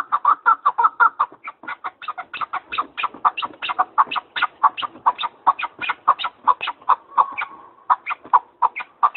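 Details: Partridge chattering in a long, dense run of rasping chuck notes, uneven in spacing, with a brief smoother churring stretch near the end before the clucking resumes.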